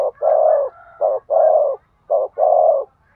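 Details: Cooing spotted dove, used to excite a male: three pairs of a short low coo followed by a longer drawn-out coo, evenly paced at roughly one a second, in quiet surroundings.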